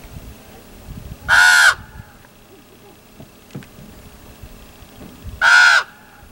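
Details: Common raven calling at Chaco Canyon: two hoarse, rasping croaks about four seconds apart, with faint clicks and quiet outdoor background between them.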